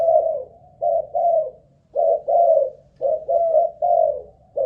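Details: ['Malaysian-line spotted dove kept as a decoy bird, cooing persistently: mellow low two- and three-note coos repeated roughly every second, evenly pitched, a quiet indoor backdrop.']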